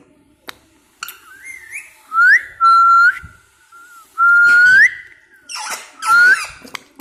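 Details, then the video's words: Pet talking parrot saying "mitthu mitthu" in a clear voice: loud whistled rising notes with bright harmonics, repeated several times. Short breathy, speech-like syllables sit between the notes in a quiet room. "मिट्ठू मिट्ठू बोलता एकदम साफ आवाज में"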